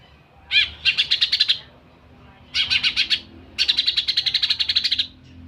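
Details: Wild Bornean-type greater green leafbird singing with a fine song fill: three bursts of rapid, bright chattering notes, each burst a quick repeated run lasting about one to one and a half seconds, with short pauses between.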